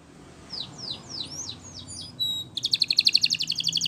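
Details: Spanish Timbrado canary training song, heard at some distance: thin falling slurred notes, a brief pure whistle, then a bright rapid pulsing trill.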